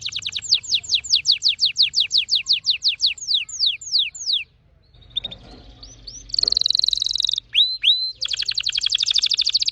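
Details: Orange-red red factor canary singing very fast, opening with a run of falling whistled notes, a short pause with soft clicks, then upturned whistles and dense rattling trills.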